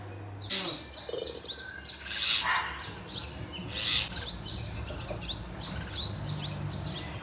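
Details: Pet birds chirping indoors, bright rising chirps repeated rapidly high up, with a few louder notes and low steady hum beneath.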